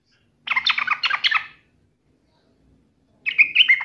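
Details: Brief yellow-vented bulbul challenge: a rough, chattering burst of about a second, silence, then a clearer whistled warble starting.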